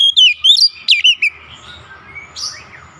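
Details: Oriental magpie-robin giving a short run of sweet slurred whistles over about a second, then falling quiet apart from faint distant chirps and low background noise.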